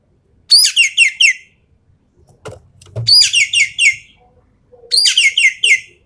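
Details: Javan pied starling in full 'tembakan' song, the shooting style used to test champion birds: three bursts of rapid harsh, chattering notes, each of four or five strokes, about two seconds apart. A brief low thud falls between them.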